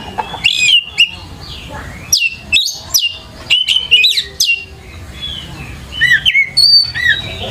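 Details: Kacer, or Oriental magpie-robin, singing as a lure to make another bird answer and sing hard; sweet whistled slurs mixed with sharp chirps, delivered in short clustered phrases separated by quiet gaps.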